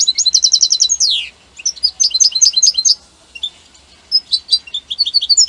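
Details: European goldfinch from Italy in loud song: a fast row of repeated chirps ending in a downward sweeping slur, then scattered bright twittering phrases.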